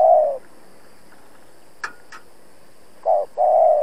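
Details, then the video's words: Decoy spotted dove challenging wild rivals during trapping: a single long low coo, a pause with two faint clicks, then a short coo and a drawn-out hollow coo. "Cu Gáy Mồi Cây thúc gù đấu bổi cực sung\ Cu gáy kích bổi nhanh nổi"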